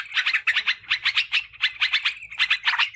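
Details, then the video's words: Sooty-headed bulbul lure sound, used to bring in wild birds and tutor caged ones: clustered bursts of three or four bright chattering notes, repeated about every half second, with faint low hum beneath. "Suara PIKAT Trucukan PALING AMPUH !!"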